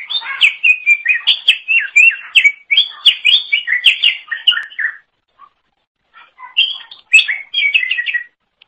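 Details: Greater green leafbird (cucak ijo) song meant as a training model for songbirds: a quick series of bright, repeated chirped phrases for about five seconds, a pause, then another burst of fast, sharp notes.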